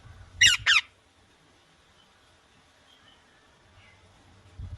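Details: Indian ringneck parakeet, a green ringneck parrot, calling two harsh, rasping screeches in quick succession, then quiet with faint low rumbling background.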